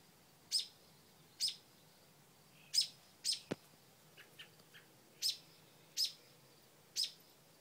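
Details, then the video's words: Front-porch mother bird defending her new nestlings from a dog: loud, harsh chips repeated about every second, a sharp click midway, and a cluster of soft quieter chirps. "Momma Bird Protecting Babies"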